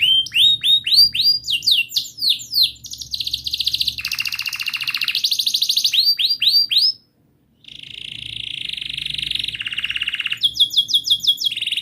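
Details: Canary song meant to prompt a quiet canary into singing: bursts of swooping whistled notes, then long buzzy rolls at several pitches, a brief pause, and more sustained trills with sweeping whistles.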